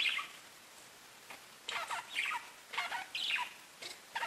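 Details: Pet budgerigars give softer, scattered bursts of squeaky chirps separated by short quiet gaps.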